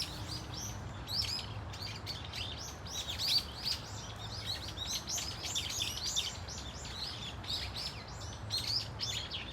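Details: A flock of Brown-eared Bulbuls calling at Dunsan Grand Park: dense overlapping shrill, arched, squealing notes pour out almost without pause, with a low steady background hum.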